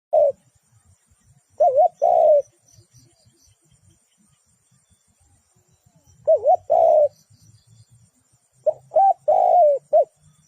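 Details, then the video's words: Spotted dove used as a decoy bird for trapping, giving short coo phrases near 600 to 800, a hooked note then a longer falling coo, in three bursts several seconds apart over faint low hum and a steady high whine. "Bẫy cu gáy bằng mồi trồn"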